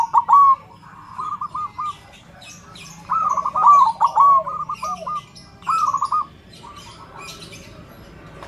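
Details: Zebra dove (perkutut) with a powerful voice, meant to coax other perkutut into singing, delivers bursts of rapid, rolling cooing notes in spaced phrases, and small birds twitter faintly behind.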